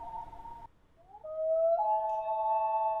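A loon gives a long, pure, mournful wail that slides upward and then steps higher. The clip opens with a brief steady tone and a short pause.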